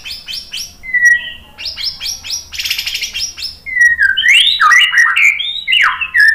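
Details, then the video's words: White-rumped shama lure song meant to draw replies: quick repeated high buzzy notes and a short whistle, a burst of dense trilling, then loud, varied, swooping whistled phrases. "suara MURAI BATU bikin cepat NYAUT jadi GACOR"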